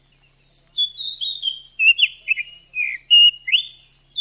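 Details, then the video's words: Female oriental magpie-robin sound meant to provoke a male to sing and raise breeding drive; a continuous, rambling warble of mixed high whistles, slurs and short chips, one louder flat whistle standing out near the end. "suara Kacer betina.untuk memancing Kacer jantan mau bunyi"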